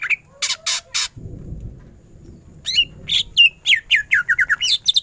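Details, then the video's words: Greater green leafbird in full ngentrok song for masteran: opening harsh buzzy bursts, a pause with low background rumble, then a quick run of bright whistled notes sliding down, repeated several times a second. "Cucak ijo gacor full tembakan ngentrok"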